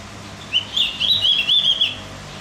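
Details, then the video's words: Javan grey-throated white-eye song used as a tutor recording to stimulate other birds: a rapid warbling run of high twittering notes, jumping up and down in pitch, lasting about one and a half seconds, with faint low hum behind. "Masteran buat burung OPIOR JAWA agar tambah emosi"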